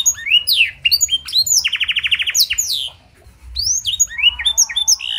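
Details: Canary singing its blackthroat fill-in, used as a tutor recording to make other canaries sing along. Rapid slurred notes, a pulsing rolling trill, a short silence, then more chirping phrases.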